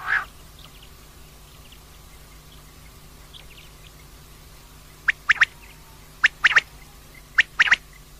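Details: Common quail calling, recorded for use at night: after a loud opening note and a long pause come three clipped groups of sharp, quick pulses, about one group every second, over a low steady hum.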